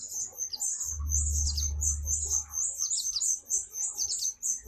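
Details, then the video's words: A pet white-eye (pleci) sings a very high, thin, rapid twittering of slurred notes, about two a second, as a therapy song, over a brief low rumble near the start. "terapi pleci gacor"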